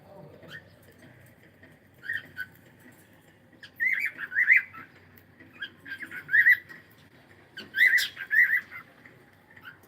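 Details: Pet cockatiel chattering in repeated paired, slurred whistles, bursts of two or three notes recurring every second or so across ten seconds, quiet room behind.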